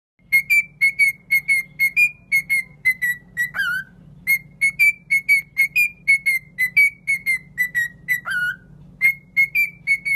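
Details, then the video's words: Cockatiel singing a long run of short, clear whistled notes, about two per second, mostly level with slight rises and falls. Two lower, longer slurred whistles break the series, over a steady low hum. "تغريد ببغاء كوكتيل"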